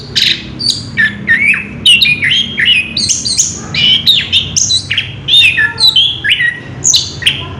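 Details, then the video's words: Orange-headed thrush singing in ngerol style, a continuous rolling song, recorded 3 March 2016: a nonstop run of varied whistled and chattering phrases, rising and falling notes, delivered in quick bursts about every half second, with faint low background hum. "Burung Anis kembang ngerol edan luar biasa"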